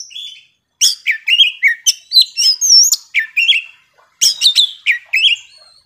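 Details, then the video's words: Young wild-caught Oriental magpie-robin singing intensely: a rapid, varied string of bright whistles, sharp chips and slurred rising and falling notes, broken by a short pause before another burst. "KACER MUDA HUTAN GACOR KONSLET"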